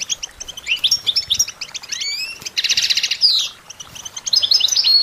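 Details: European goldfinch song for training songbirds: fast liquid twittering of high chirps and trills, with rising whistled slurs, a dense buzzy rattle mid-phrase and a sharp downward note, delivered in quick continuous bursts.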